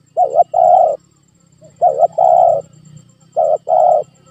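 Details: Cooing of a spotted dove, used to prompt a silent pet dove to call: three close repeated phrases, each a short double coo followed by a long drawn-out hollow coo, over a low hum.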